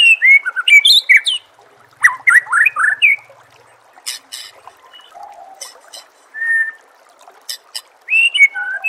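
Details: Masteran song of a white-rumped shama for training contest birds. Loud bursts of varied, fluty whistled phrases with sharp high clicks, separated by short pauses, then a clear sustained whistle and further warbled notes.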